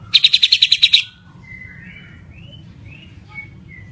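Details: White-rumped shama of the Medan type: a rapid burst of about nine sharp, high, evenly spaced chips within one second, followed by soft thin whistled notes over a low background hum.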